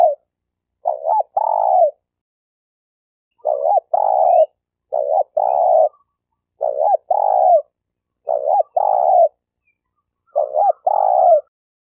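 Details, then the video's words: Spotted dove decoy bird from Malaysia repeating its cooing phrase six times, each a brief dipping hoot followed by a longer rolling coo, evenly spaced with short silences. "Suara Burung Tekukur Denak Padu"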